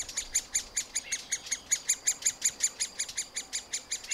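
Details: Young middle spotted woodpeckers being fed at the nest cavity, filmed with a Panasonic FZ 2000 camera: a rapid, steady series of harsh, raspy notes, nearly three per second, repeated throughout with little variation.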